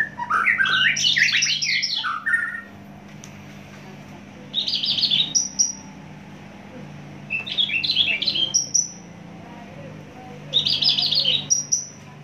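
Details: Javan bush lark from Java delivering loud, fast song: dense twittering bursts of jumbled high notes lasting about two seconds, each ending in a short rising whistle, repeated after quiet gaps, with a low hum behind.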